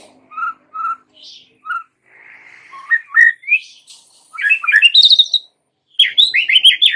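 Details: Lure song of a white-rumped shama meant to make young wild-caught birds sing: paired soft whistles, rising slurred phrases, then dense bursts of sharp high twittering notes.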